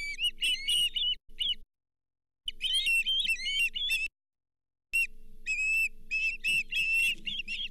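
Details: Osprey calling at a Charlo nest cam as the day's fifth fish, a lake whitefish, comes in, 31 July 2023: bursts of shrill whistled chirps separated by silent gaps, low background hum throughout.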